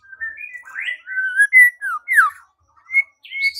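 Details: White-rumped shama song played as a lure to provoke another shama into singing and fighting: a string of varied clear whistled phrases, some sliding up, some dropping, with brief pauses between notes and a short high rising flourish at the end.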